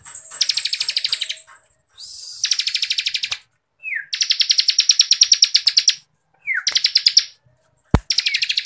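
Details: Ngebren-style Bar-winged Prinia song for training contest birds: long, tightly packed pulsed trills up to two seconds, interspersed with brief slurred downward notes and a sharp click.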